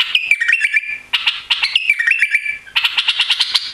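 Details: Newly arrived captive white-eared bulbul, tail missing after travel, sings three quick, bubbly phrases of stepped, fluty notes, each about a second long, with short pauses between.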